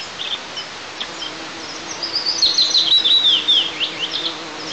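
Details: Eagle chicks at a nest watched by camera in an oil and gas district of southeast Tatarstan, Russia, 6 July 2024, protesting while their mother eats alone: a dense, rapid run of thin, high, piping chirps swelling to a loud burst amid steady background hiss.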